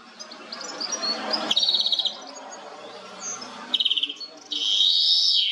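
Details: European goldfinch, recorded with a Nikon Coolpix P1000, gives tinkling trilled phrases of rapidly repeated high notes, then a sustained buzzy twitter, all over a heavy broadband background hiss.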